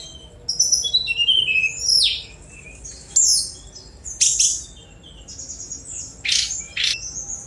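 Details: Lively Sunda robin song made of thin, high whistles, falling slurred notes and short explosive chip bursts. The phrases are delivered at a fast pace with brief pauses.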